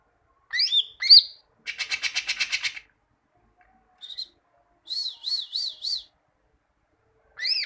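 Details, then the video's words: Greater green leafbird song meant to train caged birds: sharp high whistles, a long rapid buzzy rattle, then a run of five looping whistled notes, all high-pitched with clear gaps. "Masteran cucak ijo, masteran burung cucak ijo agar cucak ijo rajin bunyi"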